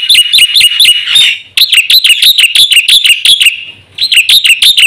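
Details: Lure and tutor song of a caged black-winged myna: insistent, evenly fast chirps with a whistled, hooked quality, about three per second, in runs separated by two brief silences.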